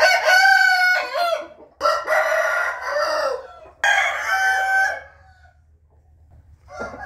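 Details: Rooster crowing on a morning of 8 April 2021: three long, rich, harmonic crows, each about a second or more, separated by short pauses, with a faint low hum underneath and a quiet stretch before a final brief call.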